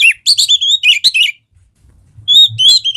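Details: Energetic kacer, the Oriental magpie-robin, in a song meant to prompt singing: quick chirpy whistled notes tumbling up and down, a short gap, then sustained clear whistles and sharp clicks; faint low hum in background.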